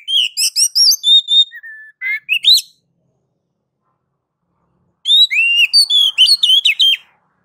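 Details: Oriental magpie-robin (kacer) singing in a gacor style: loud bursts of varied whistles, sliding notes and quick trills, a pause of over two seconds, then another rapid run of whistled phrases.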